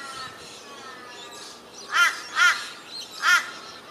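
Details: Grey butcherbird (Cracticus torquatus) in Kenmore, Brisbane, Queensland, Australia, 9 December 2015, giving three harsh, rasping notes, two close together then one after a short gap, over a faint steady hum.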